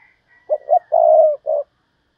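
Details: Single full phrase from a decoy spotted dove calling thúc bổi for wild doves: two brief soft notes, a long purring coo, then a short final note, over a faint high whistle.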